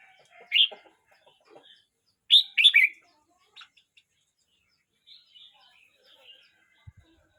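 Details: A 12-month-29-day-old red-whiskered bulbul sings a short, sharp note, then a rich warbled phrase of three rising and falling whistles. Faint softer chirps are scattered after it, with a low knock near the end.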